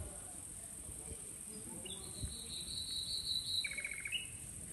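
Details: Nightingale song phrase: a long, thin, sustained whistle followed by a rapid, dry, rattling trill, set against faint low background noise.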